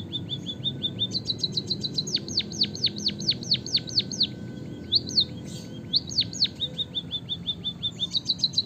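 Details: Long rolling canary-style song of a white-headed munia from Java, played to stimulate other birds to sing. Rapid high chips build into a steady series of loud downward-sweeping whistles, about three a second. After a short pause, further trills and chattering bursts follow.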